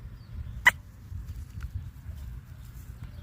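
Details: Chicken sneezing once: a single sharp, broadband burst near the start, over a low background hum, with a faint second click later and otherwise quiet.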